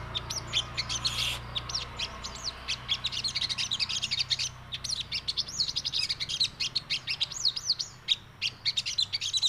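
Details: Javan cochoa delivering crewet chatter: a continuous stream of high, fast twittering and arched whistled notes, with clipped bursts repeated without pause throughout, over a faint low hum.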